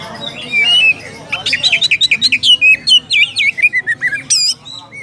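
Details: Oriental magpie-robin calling out a rival: a rapid run of bright whistled and chirped notes, many short sweeping phrases between two and five kilohertz repeated in quick succession, with a louder high note near the end.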